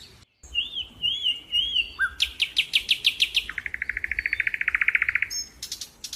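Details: Bird chirping outdoors: slurred whistled notes, then a rapid series of sharp ticking notes followed by a long fast rattling trill, with high chips at the end.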